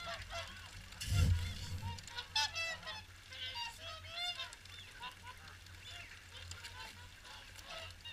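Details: Swans at WWT Caerlaverock during the morning feed call in a loose, overlapping chorus of bugling honks, broken by a brief loud wind thump early on.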